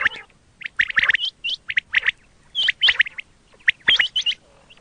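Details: Quail call for hunting: sharp, clipped chirps, some rising into higher whistled flicks, delivered in uneven clusters over quiet background.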